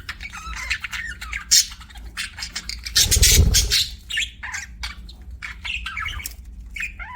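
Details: Budgies chirp in quick, sharp bursts and squawks, with a brief low thump or rustle around the middle and a steady low hum.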